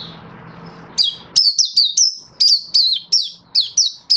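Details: Kept Oriental white-eye in display song: after a second of low hum, loud high clipped chirps start, each a sharp downward-bending whistle, repeated about twice a second and dominating the rest.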